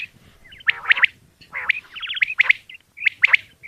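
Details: Female common quail calling in the early morning: bright chirping notes bunched in quick groups of two or three, with short pauses between bursts, over a quiet background.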